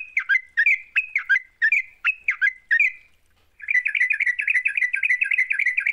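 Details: Yellow-vented bulbul song serving as a lure to prompt singing: six clipped, dropping two-part notes at roughly half-second spacing, a brief gap, then a dense stream of fast, chattering trills.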